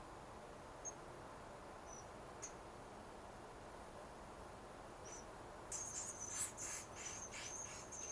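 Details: Wild Pacific-slope (Western) flycatcher nestlings, 11 days old with feathers filling in, in the Pacific Northwest, give thin, very high peeps, a few spaced singly, then a rapid squeaky chorus of begging for food over steady background hiss.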